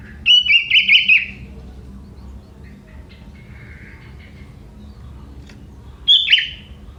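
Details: Young forest sooty-headed bulbul singing, with prinia phrases in its repertoire: a bubbling warbled phrase, a long pause with faint distant notes, then a short sharp chirp, over low rustling background noise.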